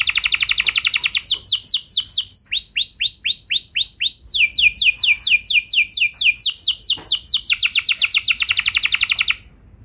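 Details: Canary song played to draw other canaries into singing: dense high trills, a row of looping curved whistles, then long runs of rapid downslurred notes, ending abruptly.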